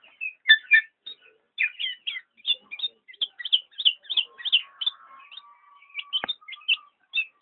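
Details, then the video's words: Black-naped oriole giving lively bursts of high twittering notes, some doubled, with a thin steady tone drifting underneath in the middle and one sharp click. "burung kepodang"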